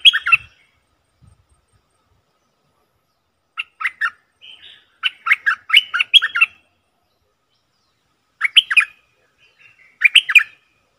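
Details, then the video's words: Bulbul calling on a trapping lure track for wild birds: short clusters of three to five chattering notes recur every few seconds, with soft thin whistles in the gaps between them. "Suara pikat merbah lekir"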